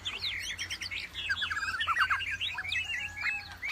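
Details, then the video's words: Wambi in lively song: a rapid, varied stream of chirps, short sweeping whistles and trilled phrases at a high pitch, delivered almost without pause, over a faint steady low hum. "SUARA KICAU WAMBI GACOR"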